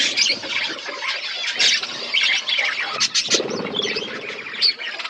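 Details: Flock of budgies in a forest-setting aviary chirping together: busy, scratchy warbling and sharp squeaks layered over one another, with a brief louder burst of chatter near the three-second mark.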